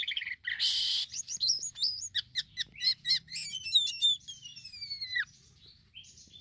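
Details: Black-winged myna singing actively, its song used as a lure for other mynas: harsh buzzy burst, then rapid varied whistled notes and chattering, ending in a long descending whistle, background otherwise quiet.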